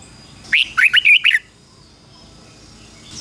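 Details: Decoy red-whiskered bulbul calling wild birds in to fight: one quick, lively phrase of six chirpy, warbling whistles lasting about a second, followed by quiet with faint background hiss.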